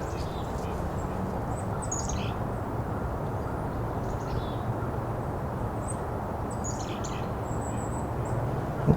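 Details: Golden-crowned Kinglet in winter, heard during a Christmas Bird Count: very high, thin, lisping notes, single and in short strings, faint over a steady low rumble of wind or distant traffic.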